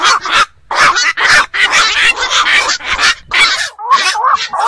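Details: Harsh, broad squawking from black-crowned night herons, a nocturnal bird found at ponds and wetlands. Loud overlapping bursts are broken by two brief quiet gaps.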